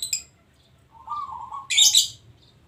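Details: Local zebra dove singing. One rolling, warbled coo phrase lasting about half a second, followed by a burst of shrill high chirping. Another sharp chirp sounds at the start.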